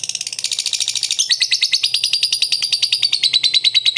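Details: Lovebird ngekek used to prompt another lovebird to call, a rapid high chattering trill of steady pulses that shifts slightly lower midway and continues throughout, over faint low hum.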